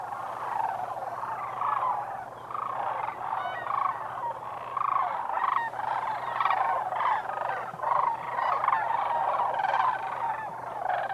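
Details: Over 20,000 wintering sandhill cranes at Whitewater Draw Wildlife Area in southern Arizona. A dense chorus of rolling, trumpeting rattles, many birds calling at once, pulsing in loudness across the recording.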